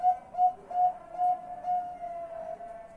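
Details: Zebra dove calling at night, recorded 10 March 2021; a series of short whistled coos on one steady pitch, several quick notes then a longer drawn-out tone, fairly clear with little background.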